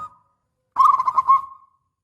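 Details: Local Indonesian zebra dove, perkutut lokal, singing a long-opening angkatan panjang phrase used as a lure for other doves: a short burst of rapid, rolling coos that ends in a fading, level tone. A faint earlier note opens the clip.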